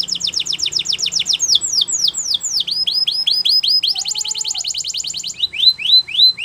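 A canary sings rapid trills of high, sweeping notes, shifting between fast rolling phrases and slower downslurred whistles, with a brief lower tone midway.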